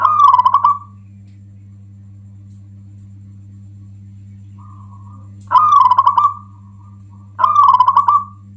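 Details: Zebra Dove of local stock giving its loud provoking song, used as a tutor and lure: three rippling, staccato coo phrases separated by long pauses, with a soft short note between, and constant low hum.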